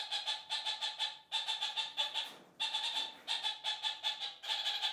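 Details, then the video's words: Kakariki chattering in their flock, a daily repeated communal cackle: quick pulsed ke-ke-ke notes in rows of four to five, each row about a second long, repeated without pause. "Laufsittichgeplauder /Kakariki voice"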